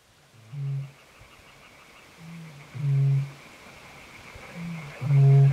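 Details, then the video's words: Eurasian bittern giving deep, hollow booming calls, low resonant hoots repeated in groups, each preceded by soft short grunts, three booms within a few seconds over a faint steady hum. "le Butor étoilé"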